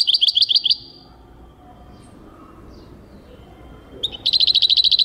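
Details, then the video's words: Singing goldfinch recorded in 2023, giving quick rattling trills of evenly repeated high notes, one short run at the start and another after a silent gap of about three seconds. "goldfinch singing chardonneret jilguero singing 2023"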